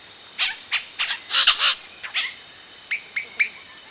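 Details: Close-up of yellow-rumped cacique nestlings calling as parents reach the nest: raspy broadband squawks cluster in the first two seconds, followed by three short, clipped downslurred notes spaced about a quarter second apart.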